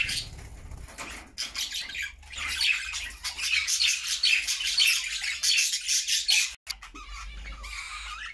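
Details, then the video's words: Happy caged budgies singing as a flock in their homemade cage; bursts of rapid chattering and scratchy warbles, fading into quieter chirps near the end. "Budgie sounds to make them sing!!"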